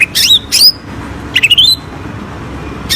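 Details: Greater green leafbird song played as a lure for birds that are slow to sing: two sharp whistled bursts, then a quick run of clipped rising notes, each phrase bright and high, over a faint steady hum.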